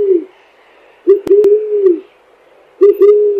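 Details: Eared dove (Zenaida auriculata) singing: low, soft drawn-out coos that swell and fade, each held nearly a second, with two sharp clicks partway through.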